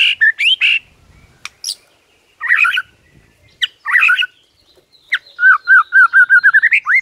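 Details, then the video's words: Morning White-rumped shama song aimed at provoking rivals: scattered sharp chips and short whistled phrases with gaps, ending in a fast series of repeated mid-pitched whistled notes. "HITUNGAN DETIK DI PAGI HARI BIKIN MURAI LAWAN AUTO NAIK EMOSI SEKETIKA"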